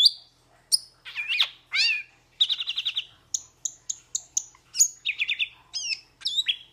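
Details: Metallic starling (Aplonis) delivers a varied medley: rising squeaks, a trilled rattling phrase, a run of crisp chirps, then wavering whistles.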